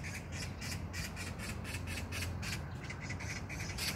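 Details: In a park in Gyeyang-gu, Incheon, on June 19, 2022, a magpie rattles out a long, even series of harsh chak notes, roughly three to four each second, over a low steady hum.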